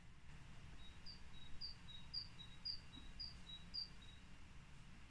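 A great tit sings its evenly paced two-note 'teacher' phrase, a high note dropping to a lower one, about twice a second, over a low background rumble.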